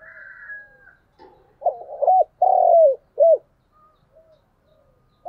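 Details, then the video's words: Morning lure call of a spotted dove, used to draw wild doves in near the house: a thin high whistle from another bird first, then a deep three-part cooing phrase whose drawn-out middle note dips downward, followed by quiet scattered notes. "Cu gáy mồi gáy gọi buổi sáng"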